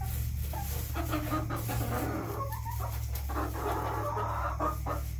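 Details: Several backyard hens cluck in soft, irregular bursts of low, throaty notes over a steady low mechanical hum.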